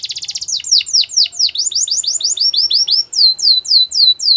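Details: Singing every morning, a Belgian canary gives a fast buzzy trill, then rhythmic V-shaped whistled notes about four per second, ending with high arched slurs in a quiet room.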